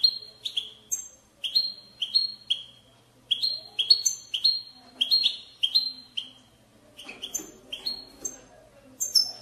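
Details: European goldfinch singing a lively batbata intended to push goldfinches to sing. Rapid, repeated chirping phrases of bright, slightly nasal notes, pausing briefly between bursts, with a soft background hum.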